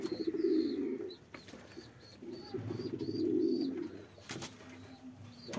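A frillback pigeon gives two low, throaty rolling coos, each about a second long, with faint chirps from other birds and a few clicks behind.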